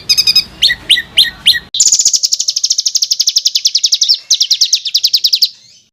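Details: Coarse rolled bird song meant for training competition songbirds: a few separate chirps, then a long, fast, evenly pulsed high trill lasting about four seconds before fading out.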